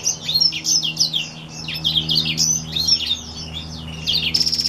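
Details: Singing Black-throated x Reichenow's seedeater hybrid. A continuous, rapid warble of bright, up-and-down whistled notes and chips, ending with a fast, dry trill.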